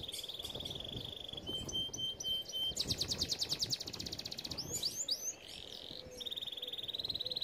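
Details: Singing canary, song meant for training other canaries: a steady high whistled tone, a rattling rapid trill, then varied chirps and another level whistle over a low background hiss.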